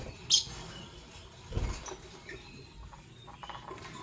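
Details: Morning chirping from lovebirds, a green Fischer's and a pastel blue: one sharp, loud, high shrill chirp at the start, softer high squeaks later, with a dull thump and a low background hum.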